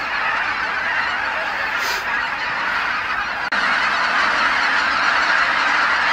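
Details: Geese flying back to Kabukuri-numa marsh as night falls, tens of thousands calling at once after a day of feeding; a continuous wall of overlapping honking with a brief click near the middle.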